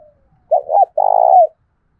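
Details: Spotted dove lure bird cooing to make other doves answer: two low, smooth coo notes, the second longer and slightly trembling, then silence.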